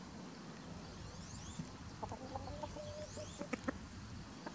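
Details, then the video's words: Chickens foraging outdoors in spring while a white rooster protects them: a run of soft clucks and one held, level note near the middle, then a few sharper clucks, with sweeping songbird calls in the background. "Chicken Sounds ASMR"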